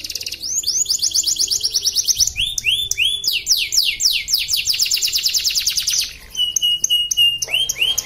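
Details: Caged canary entered in an Indonesian online singing contest, Pontianak, West Kalimantan: long, loud, continuous song of rapid rising and falling whistled notes, switching between fast trills and slower sweeps, with a steady buzzy tone near the end.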